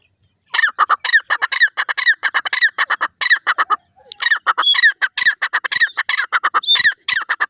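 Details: Grey francolin (teetar) calling: shrill, harsh notes fired in rapid, dense bursts, a brief pause near the middle, then the same loud rhythmic series resumes against a quiet background.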